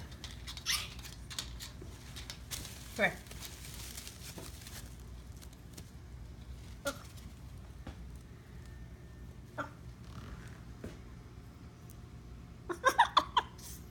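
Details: A male pet macaw, Marley, makes odd dolphin-like squeaks and clicks, ending in a quick burst of high chirps.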